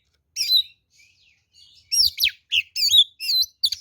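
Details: Oriental magpie-robin giving its fighting song, used as a lure to make other magpie-robins answer aggressively: loud, rich whistled phrases with sweeping and warbling notes, high and bright, delivered in short bursts after a quiet opening.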